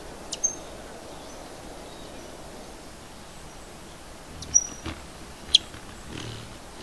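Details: A White-eared Hummingbird (Basilinna leucotis) gives a few sharp, high metallic tinks, spaced irregularly a second or more apart, over a soft steady background hiss.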